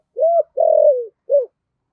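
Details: Lure-bird spotted dove in the 'thổ sấm' voice style giving one short phrase: a low coo, then a longer drawn-out coo falling at its end, then a brief final coo.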